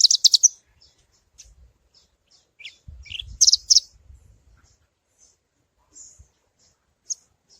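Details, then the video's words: Parva Javan bush lark song, meant to prompt other larks into singing, opens with a fast high trill, then sparse chips and a few buzzy notes; faint low thumps underneath. "Branjangan parva suara alasan 100% ampuh buat pancingan!!!"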